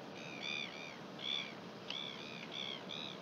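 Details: Northern royal albatross in New Zealand, recorded 1 June 2021: repeated arched, nasal, harmonic calls roughly every half second, set against steady loud wind or surf hiss.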